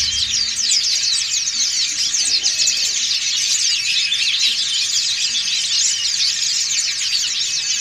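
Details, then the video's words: Dakun and montanus white-eyes singing en masse in ngriwik style for training birds; intense, shrill, continuous twittering of many overlapping fast notes with no pauses throughout. "PLECI DAKUN NGRIWIK BERJAMAAH"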